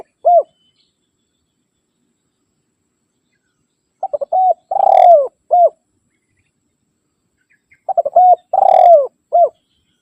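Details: Spotted dove calling to rivals, a call used to lure wild doves. After a lone closing coo, two full phrases follow about four seconds apart: rapid short coos, a held coo, a long sliding roll, and a short final coo.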